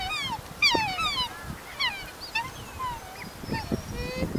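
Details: Black swans calling in a wetland while two of them fight and others of the group watch: wavering, bugle-like notes sliding up and down, several overlapping, over a steady background hiss with low rumbles.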